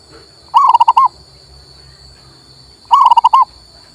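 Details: Male local zebra dove singing, played to stimulate a silent bird: two short phrases of rapid, rolling coos near one pitch, each about half a second of five or six beats, separated by a two-second pause; steady high hum behind.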